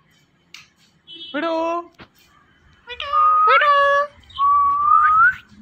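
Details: Indian ringneck parrot kept at home, mimicking human speech: a short nasal word-like phrase, a click, then a two-part talking phrase and a long, slowly rising whistle.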